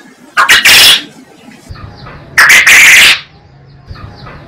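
A quail gives two loud, harsh, rapid bursts of notes about two seconds apart, with a quiet low hum between them.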